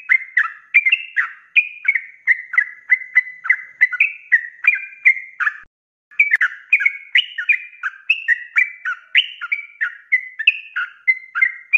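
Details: Active sooty-headed bulbul in fast ropelan song for tutoring cage birds: dense chains of rich, slurred whistles with rising and falling notes, broken by a short silent gap near the middle.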